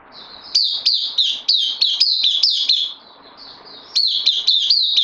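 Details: Newly loaned caged bulbul, recorded 12 September 2020, giving rapid high chirps about three per second, each falling slightly. A short pause splits the sequence into two bursts.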